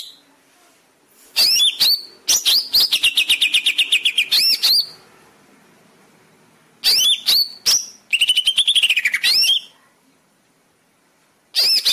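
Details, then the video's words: Greater green leafbird song used as a master recording to train caged birds: bursts of rapid chattering notes with sharp upward whistled sweeps and trilled runs, separated by pauses. "Masteran cucak ijo cepat gacor"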